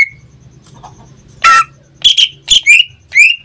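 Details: Greater green leafbird kept as a pet, singing: a brief high whistle, a harsh noisy burst, then several sharp whistled notes that rise and fall, with a faint low hum throughout.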